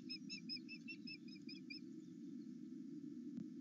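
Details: An osprey at a nest at Loch Arkaig, excited as its mate returns, between 8 and 9 am, gives a rapid run of high, thin whistled chirps, about eight in under two seconds, then quiet over steady wind rumble.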